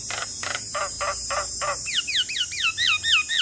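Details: Male Javan myna calling to companions, used as a lure: six harsh, broadband squawks about every third of a second, then a run of quick downslurred whistled notes repeated several times.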